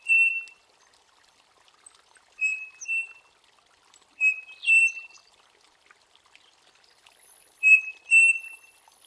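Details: Saci (striped cuckoo, peitica, peixe frito) song of paired pure whistles, a short note then a rising longer one, given four times at irregular intervals over soft high-pitched background chirping.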